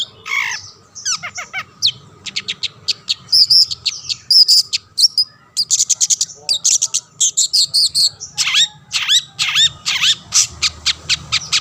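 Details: Long-tailed shrike (cendet) in an extended song meant to stir rival shrikes into singing: varied mimicry-like phrases, a whistled trill, harsh notes and long runs of quick sharp chips.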